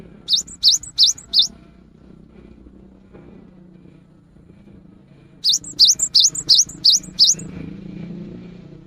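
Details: Lively cinereous tit song meant as a lure during the rainy season: a short burst of four rapid rising whistles, a pause of several seconds, then a longer string of about seven similar notes over soft background rumble.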